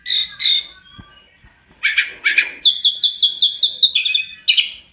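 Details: Tledekan gunung (Sunda robin) singing energetically on a master recording for training other birds, full of varied fill-in phrases: harsh buzzy notes, then a rapid run of about seven bright, sharp notes and a lower closing phrase.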